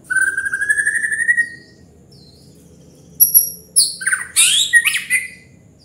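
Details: White-rumped shama in gacor song opens with a long, steady, slightly rising whistled trill, pauses, then bursts into high sharp whistles and tumbling, buzzy warbled notes.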